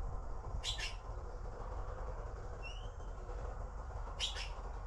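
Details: Blue magpie babies waiting to be fed, two brief harsh rasping squawks about three and a half seconds apart, a faint thin upslurred whistle between them, and constant low background rumble.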